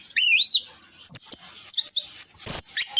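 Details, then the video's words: Orange-headed thrush song, played as a lure: an opening pair of looping whistled notes, a brief pause, then a run of quick high whistles and chips, with a short rustling noise midway. "Pancingan Anis Merah Teler Gacor 100% Ampuh"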